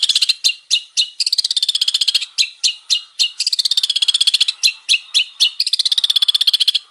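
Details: Vigorously singing male long-tailed shrike delivering long, fast, buzzy trills, about four pulses a second, interrupted by sharp single chirps and varied notes.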